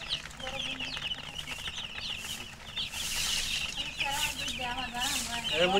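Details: Many just-born coloured chicks peeping loudly while thirsty for water, a constant overlapping chorus of shrill, rapidly repeated high chirps, some sliding downward, with lower clucks and human speech mixed in.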